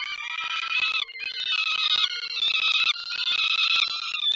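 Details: Falcons at a Lublin nest on 28 May 2019 give harsh, drawn-out nasal wailing calls about once a second as both adults fly near the nest, seemingly inviting the lively young to fly; faint tapping and scraping.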